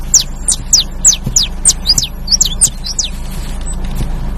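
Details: Canary giving a rapid series of bright, high chirps that drop sharply in pitch. Roughly ten notes pour out in three seconds, then it goes quiet over a low hum.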